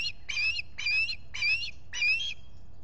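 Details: Osprey at the Salt Point nest in the Finger Lakes, US, on a July 2021 morning when a visitor came to the nest. Five emphatic, slightly upslurred whistled chirps are spaced roughly half a second apart.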